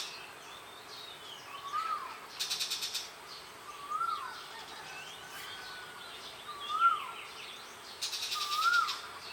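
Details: Wild forest birds singing in Phusing, Sisaket, Thailand: a whistled note that rises then falls, repeated about every two seconds, with thin high chirps and brief buzzy bursts scattered between.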